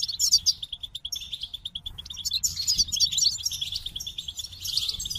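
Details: Goldfinch singing a fast, continuous twittering song, rapid tinkling notes and buzzy trills run together almost without pause, bright and high.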